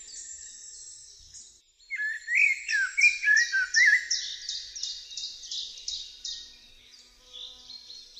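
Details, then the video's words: Song of a Eurasian blackbird: a faint high start, then loud, rich whistled warbling. This tails off into a long, regular sequence of high, chattering squeaks that gradually fades. "Turdus merula"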